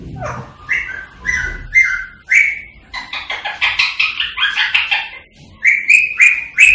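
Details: Whistling green rose-ringed parakeet, Indian ring-necked type, calling to encourage singing and mating: a series of short whistled notes, a burst of buzzy chatter in the middle, closing with bright sustained whistles.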